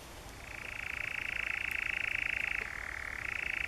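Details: European nightjar churring in the Brecks, Norfolk, in July: a rapid rattling trill starts softly after half a second, swells, then drops slightly in pitch for a moment before rising again.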